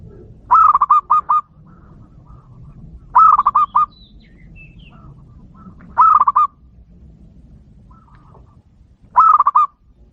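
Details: Local zebra dove calling to lure and summon all other doves: four bursts of rapid, clear cooing notes, each phrase about five notes long, repeated roughly every three seconds with faint low background noise between.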